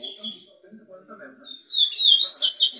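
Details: Double-collared seedeater singing freely outside its cage: after faint low murmurs, a loud burst of high, bright, rapid whistled and trilled notes fills the second half, following speech just before.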